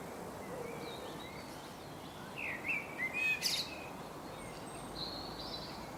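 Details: A common blackbird in England sings a short phrase of mellow, fluting notes, followed by a thin, squeaky twitter, over a steady background rush; a few faint high notes follow.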